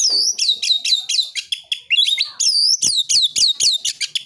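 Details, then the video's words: Oriental magpie-robin in fighting-mode song, played to stir other magpie-robins into singing and fighting. Rapid, loud run of high arched whistles and sharp notes, about four per second, with almost no pauses. "KICAUAN KACER NARUNG"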